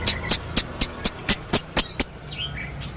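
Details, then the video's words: Male blue-crowned hanging parrot in full voice: a steady string of eight shrill, high-pitched ticks about a quarter second apart, then a few thin sliding whistles. "burung serindit jantan gacor banyak suara aneh"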